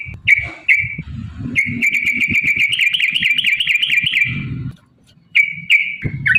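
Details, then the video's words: Yellow-vented bulbul lure song meant to make other bulbuls answer: short bubbly notes, then a long wavering warbled phrase of quick repeated notes, a pause, and more short phrases, with low rumble beneath. "trucukan gacor TARUNG ROPEL PANJANG pancingan trucukan agar bunyi"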